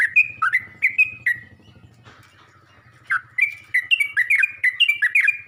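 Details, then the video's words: Yellow-vented bulbul calling to other bulbuls: bursts of loud chirpy notes around the middle range, each sliding and bending, in quick runs, a pause of about a second, then a faster jumble of calls; low hum underneath. "Burung trucuk ini pandai memangil burung trucuk lain"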